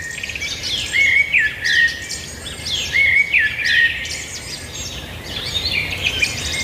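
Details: Birds singing outdoors; a clear whistled phrase with a sliding, rising-then-falling shape repeats about every two seconds above a background of softer chirps and twitters.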